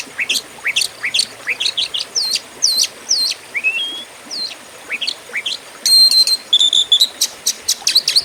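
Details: Fighting-type Oriental magpie-robin song kept as a master for training contest birds: quick high chirps and upswept whistles, one longer slurred whistle near the middle, then a burst of buzzy, tinny notes and more rapid chirps.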